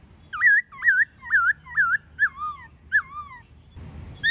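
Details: White-cheeked laughingthrush in wild-style, many-voiced song with a female calling, used to coach captive birds: six or seven looping, wavy whistles repeated about twice a second, the later ones dropping lower, then a brief noisy rustle.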